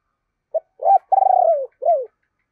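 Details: Decoy spotted dove giving its deep calling coo, used to lure wild doves: a short note, then a rolling, pulsed coo that slides downward, ending in a falling two-part note, in a quiet setting.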